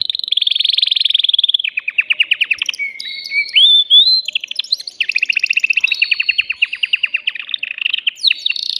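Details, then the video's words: Male canary in a cage, excited and singing to rouse a female for breeding: continuous bright song of fast trills, some rolling lower, others sharp, broken by clear whistled slides, loud and clean throughout. "تغريد ذكر كناري هائج يريد تكسير القفص يحفز الأنثي لتزاوج"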